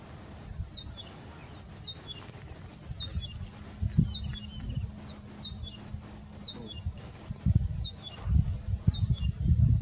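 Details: A Siffling Cisticola sings at Nguuni: short, high runs of thin notes that step downward, repeated about every second, over a steady low rumble of wind.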